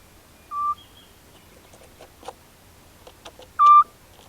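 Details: Eurasian scops owl, one of a pair recorded in spring 2016 in the countryside around Cavarzere, Venice province, during mating. Two short, clear, level whistled hoots about three seconds apart, with faint clicks and rustles between them.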